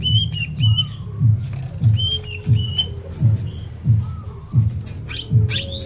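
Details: Cucak ijo, greater green leafbird, in full-repertoire song: paired whistles, slurred notes and a few high sweeping calls. A steady low beat knocks about twice every second.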